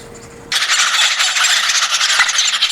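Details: Woodpecker nestlings in a tree-hole nest in Gwangneung old-growth forest, South Korea, in spring, break into a loud, harsh, buzzy begging chorus that runs on without pause after a brief quiet start; about a month after hatching, with hearty appetites.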